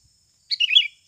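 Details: Natural Sooty-headed bulbul call used as a trapping lure to get birds calling quickly: one short, bubbly burst of rapid liquid notes, half a second long, against a clean silent background.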